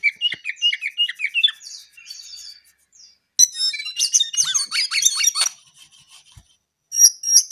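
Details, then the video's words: Brown-eared bulbul song opening with an evenly repeated series of short, slurred whistled notes, followed after a pause by a burst of dense, high chattering trills and a final pair of sharp chirps. "KICAU JONGKANGAN COKLAT GACOR TELER."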